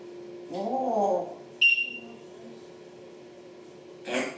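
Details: Indoor African grey parrot imitating sounds. A warbling voice-like phrase is followed by a pure, high whistled beep and then a short breathy burst.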